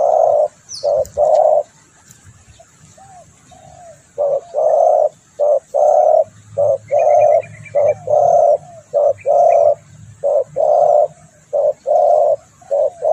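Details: Spotted dove (tekukur) lure calls: loud, deep coos repeated steadily, nearly one a second, in runs of paired and drawn-out notes, with faint high chirps from other birds in the background.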